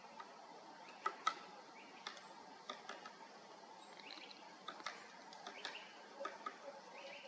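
Great spotted woodpecker giving sharp, short 'kik' notes at irregular intervals every second or so, over a soft hiss of background noise.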